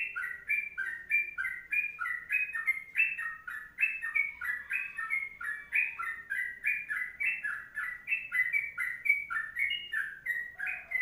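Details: Sooty-headed bulbul singing a long 'kongslet' style tutor song, a continuous 'ropelan panjang' run of short liquid whistled notes stepping up and down, about three per second, with faint background hiss.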